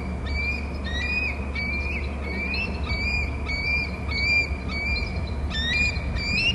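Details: Bald eagles on Hornby Island calling to each other, one at the nest and another out on the territory, picked up by a nest cam: bursts of high, piping, chittering notes in quick runs, over a constant low electrical hum.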